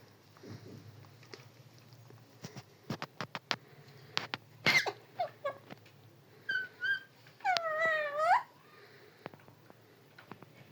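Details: Parrot talking: first a scatter of clicks and taps, then short voiced harmonic syllables, ending in a longer wavering, warbling utterance that dips and rises. A faint low hum runs underneath.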